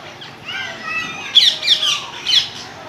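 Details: Parrot giving loud, harsh squawks in a tight run of three bursts near the middle of the clip, preceded by softer whistled notes, with background hiss.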